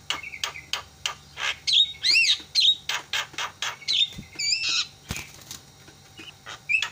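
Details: Javan myna calling as a lure to make other mynas cry out and to stir reluctant birds into voice: sharp clicks and short harsh notes about twice a second, broken by high whistled rising-falling slurs in the middle.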